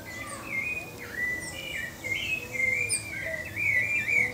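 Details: Short stretch of pale-breasted thrush song, bird of Brazil: a few mellow whistled phrases, one dropping sharply, then wavering notes that climb toward the end.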